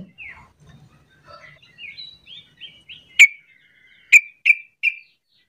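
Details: Call of a sooty-headed bulbul used to stir other bulbuls into answering: a chain of short, slurred whistled notes climbing and dipping, then four loud, abrupt chirps spaced about half a second apart.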